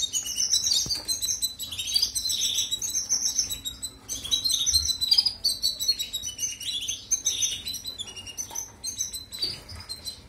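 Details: European goldfinch singing, meant for canary training: fast, high, jingling twitters and trills mixed with short buzzy notes, delivered almost without pause over a faint background hum.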